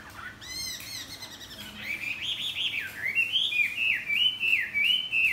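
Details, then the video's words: Morning song of a Chinese hwamei flapping its wings: after a few quick high chirps comes a flowing chain of rich whistled phrases that swoop up and down and repeat in wavering loops. "Hoạ mi đập cánh chào buổi sáng"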